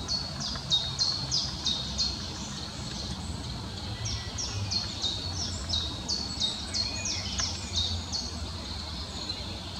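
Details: Eurasian coot with young in Amsterdamse Bos, the Netherlands: a rapid, steady run of thin, high, downslurred peeps, roughly three per second, over low background rumble.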